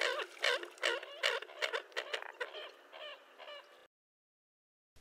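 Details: An American coot (Fulica americana) in Florida, a year-round resident of marshes and streams, gives a rapid series of nasal, honking clucks, about two or three a second, some clipped and grunting, then a short silence.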